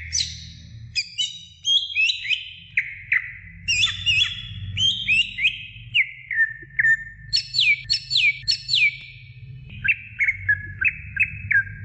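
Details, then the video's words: Greater green leafbird song played to stimulate young birds into singing: a rapid, varied run of clear whistled notes, many sliding steeply downward, some in quick doubled or tripled bursts, over a steady low background hum. "CUCAK IJO BIKIN JUNIOR NGETOP GACOR NGEPLONG"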